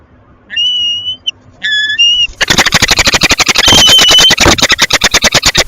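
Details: Peregrine falcon pair at Westpoint, Tilburg, 07:42 on 9 March 2026, mating: two drawn-out, whining whistled wails, then a loud, fast, harsh chittering that runs several times a second to the end.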